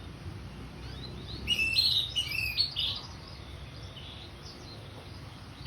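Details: Single short phrase of ngeplong song by an orange-headed thrush: a quick string of clear, high whistles and slurred notes lasting about a second and a half, amid soft steady background noise.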